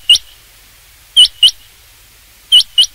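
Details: Call of the rain quail for hunting: crisp high clipped notes, one single then two pairs, separated by pauses of about a second.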